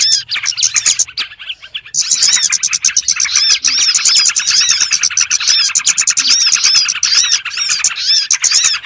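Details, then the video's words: Small birds' trapping lure: after a brief quieter patch near the start, a packed flock chatter of rapid high chirps and looping whistled notes runs without pause. "SUARA PIKAT BURUNG BURCIL"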